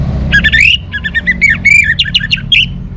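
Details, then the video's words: Orange-headed thrush delivering a dense, varied stream of ringing whistles and slurred chirps, phrases changing rapidly for nearly three seconds, over a faint low drone. "suara burung Anis Merah"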